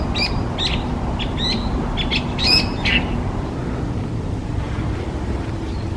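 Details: Hwamei, a designated invasive alien species in Japan: a quick run of short, high chirping and squawky notes repeated over about three seconds, then fading, over a steady low rumble of background noise.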